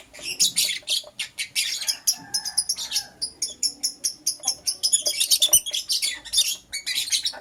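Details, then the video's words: Morning chirping of lovebirds, a green personata and a yellow pastel pied: shrill, scratchy high chirps come in rapid bursts, pulsing several times a second almost without pause, with a few lower squeaky notes mixed in. "Lovebird Chirping Sounds"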